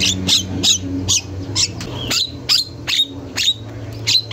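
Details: Javan myna, an energetic singer in a masteran training recording, giving sharp, high, clipped call notes repeated about every half second, each with a brief downward sweep, over a steady low hum.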